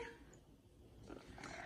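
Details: Pet Amazon parrot crying at bedtime because it doesn't want to sleep gives a hoarse, whining cry that swells and grows harsher toward the end, over a low indoor rumble.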